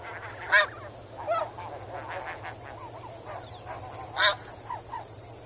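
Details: Snow goose flock calling while swimming and wading; a loud honk opens, followed by a rough, buzzy call and scattered softer honks, and another strong call near the end, with crickets trilling evenly behind.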